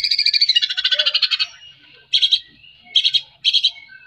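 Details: White-rumped shama in energetic 'gacor' song, used to stir shamas reluctant to sing: a rapid harsh chattering burst of about a dozen notes, then three short buzzy bursts spaced under a second apart.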